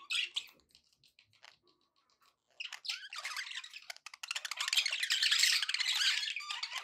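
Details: Happy budgerigars: scattered soft chirps at first, then a rapid, dense stream of buzzy, rattling chatter that builds and holds loud to the end.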